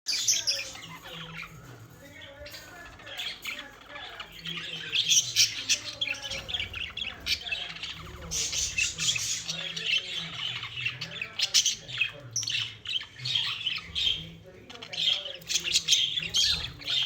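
Budgerigars chatter and squawk in bright, scratchy bursts, with warbled chirps overlapping throughout.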